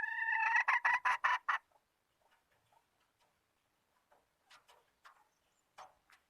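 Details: Hen calling: a fast run of about six loud, harmonic, nasal notes in the first second and a half, then scattered fainter clucks and short calls.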